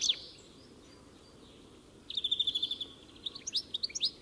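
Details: European goldfinch: a short chirp, then a pause before a rapid run of bright twittering notes and a few sharp high chips at the end.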